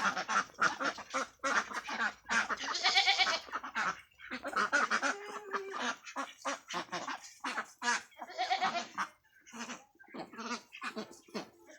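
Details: Ducks on a duck farm, a flock giving dense, harsh, nasal quacks in rapid overlapping bursts, with a louder drawn-out squawking stretch near three seconds and short gaps between volleys.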